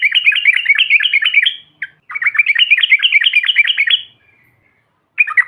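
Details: Yellow-vented bulbul trucukan, a crowd recording meant to stir other birds: two long runs of rapid, rhythmic, bubbling notes, separated by a brief pause, with a short fresh burst at the end.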